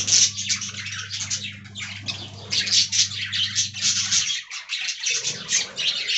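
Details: Budgerigars in an aviary colony, a dense flock of overlapping high, scratchy chirps and squawks chattering continuously without pause, with a steady low electrical hum underneath for the first four seconds.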